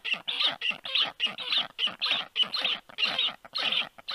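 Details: Young black storks on the nest on 4 July 2022, early afternoon, when a strange stork landed above; rough, wheezy squawks repeated almost twice a second, each burst brief and fairly regular.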